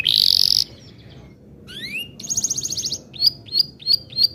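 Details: Canary singing long continuous song meant as a tutor to get young canaries singing: a harsh buzzy burst, then rising whistled slides, a fast pulsed roll, and four sharp high chirps.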